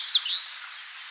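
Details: Song phrase of an Eastern crowned warbler recorded in Tainai, Japan: a sharp high chip, then a long, slightly rising buzzy note, the 'chiyo chiyo bii' pattern, clear against a quiet background.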